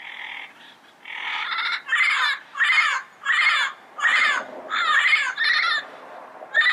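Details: Wild yellow-headed parrot calling in its natural habitat: a loud series of harsh, raspy squawks, each dipping slightly in pitch, repeated steadily about every half second, with a few softer rasping notes at the start.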